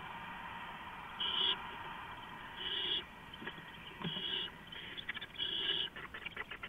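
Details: Owls moving in and out of a camera-fitted nest box, three birds at times, 4:45 AM on April 6, 2015; four breathy, rasping screeches at irregular intervals, with scratching and clicking from movement toward the end.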